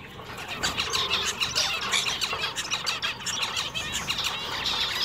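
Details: Male zebra finches in a pet shop: constant squeaky, nasal chatter of many birds, quick rising and falling notes overlapping without pause.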